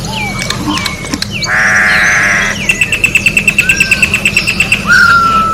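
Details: Orange-backed troupial singing in nature: short whistles and chips, a loud rasping buzzy note about a second long, then a fast run of around fifteen evenly repeated piping notes ending in a descending whistle, with a faint steady hum underneath.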